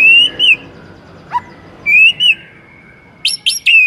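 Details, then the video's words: White-rumped shama singing to prompt other shamas to sing: clear drawn-out whistles with slight wavers, a short low note, then quick high flicks ending in a sustained whistle. "Belum 1 MENIT di PANCING Murai manapun AUTO GACOR NGEPLONG mendengarnya"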